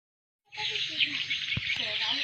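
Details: Swiftlet lure call, used to draw swiftlets in: after a brief silence, a dense high chatter of overlapping twittering chirps runs steadily to the end, with faint lower tones beneath.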